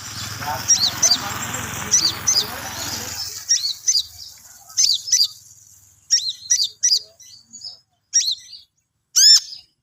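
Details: Long-tailed shrike practising its song: hissing noise at first, then clean, spaced high chirps and short slurred whistles, ending with a louder downward-swept note.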